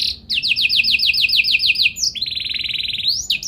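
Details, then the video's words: Canary in full, non-stop song with a special melodic style: a fast run of repeated sweeping notes, then a long buzzy trill and a rising whistle at the end. "Burung Kenari Gacor Nembak Joss Cengkok Istimewa! Buat Kenari Lain Langsung Nyaut Gak Pake Lama"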